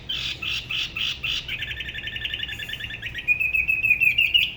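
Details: Spot-throated babbler from Da Lat's La Ba river, singing solo in a distinctive local style: a few rich whistled notes, then a rapid trill that smooths into a thin high whistle.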